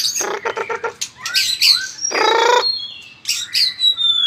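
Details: White-rumped shama in fired-up fighting song with strong tail-flicking: harsh, buzzy rattling bursts alternate with clear slurred whistles and a long, high whistle that falls gently.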